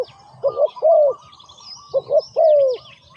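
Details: Two low dove phrases, each a quick short coo then a longer, mellow, falling croo, with soft chirps of other small birds in the background.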